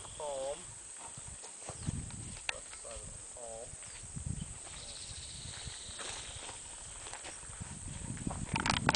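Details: Black-capped donacobius (Donacobius atricapilla) in Colombia giving short bursts of rich, slurred whistled notes, each rising then falling, in a few separate groups, near a palm; people talk quietly and low rumbling runs underneath.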